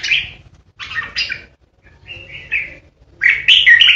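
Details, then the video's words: Ché song from a decoy red-whiskered bulbul: a quick chirp, a double warbled phrase, a smooth whistled note, then a loud scratchy twittering run at the end. "Chào mào mồi hót ché đỉnh | Red-whiskered Bulbul | นกปรอดหัวโขน"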